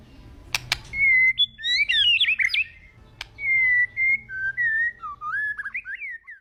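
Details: White-rumped shama singing in an agitated way: a couple of clicks, then sustained pure whistles, a quick twisting phrase, and a run of gliding, rising whistled notes.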